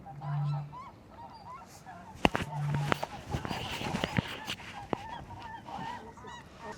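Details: Two deep, hollow booms from a Eurasian Bittern hidden in reeds, about two and a half seconds apart, under warbling songbirds and a few sharp knocks; early morning just after sunrise at RSPB Otmoor reserve, Oxfordshire.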